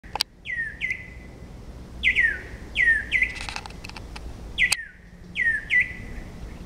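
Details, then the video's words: Emerald cuckoo giving clear, high whistles that slur sharply downward, grouped in pairs and repeated about every second and a half, with a few faint clicks between. "Emerald Cuckoo call"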